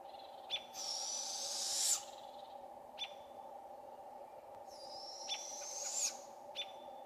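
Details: Juvenile Barred Owls in a British Columbia forest calling for their parents: two long, raspy hissing screeches rising in intensity, about four seconds apart, with Robins' sharp chips between as they mob the adults, over a steady low drone.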